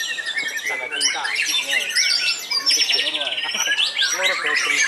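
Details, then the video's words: Caged white-rumped shama, said to be the oldest still in active singing, giving separate bright phrases of clear downslurred whistles, fast rattling trills and squeaky upsweeps, loud and close. "BURUNG MURAI TERTUA YANG MASIH AKTIF GANTANG"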